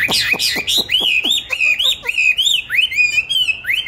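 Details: Pet songbird in a cage, bought 19 May 2020, fed steadily and claimed to sing in any setting and at any time: quick sharp descending chips open into a run of bright, swooping, upslurred whistled notes.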